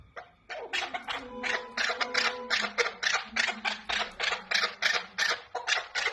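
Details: Chukar partridge, offered as a hunting call and tagged as possibly female, gives harsh, rasping chuck notes, about three per second in a steady rattling run, with a faint tonal hum underneath.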